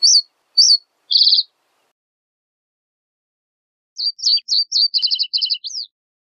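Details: Reed bunting singing: two sharp high notes and a short buzzy trill, a long pause, then a jerky phrase of clipped chirps running into rapid doubled notes and a final slurred note.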